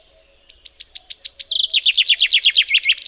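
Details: Chaffinch giving its song: a quick cascade of high, sharp notes that grows louder, changing midway into a faster, fuller trill of repeated downslurs, cut off before the closing flourish.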